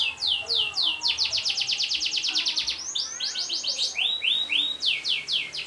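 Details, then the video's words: Canary singing a long rolling song, used as a training recording played daily to encourage other birds to sing. High, rapid trills of rising notes run in quick phrases, each several notes long, shifting pattern every second or so without pause. "MASTERAN KENARI NGEROL PANJANG"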